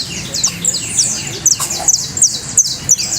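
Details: Canary trill: rapid series of high, thin downslurred notes repeated in quick bursts, sharp chips scattered through, with a faint low hum and murmur underneath.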